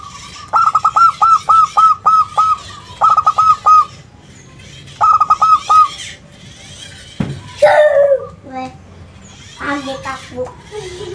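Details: Local zebra dove song used as a lure to get other doves to reply: three bursts of quick, clipped cooing notes with falling tails, followed by assorted other bird calls and squawks.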